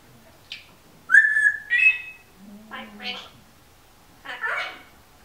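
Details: Female Timneh African grey parrot kept as a pet, indoors: a clear rising whistle, then a brief low note and short chattering speech-like phrases, with a steady low snoring hum from a dog underneath.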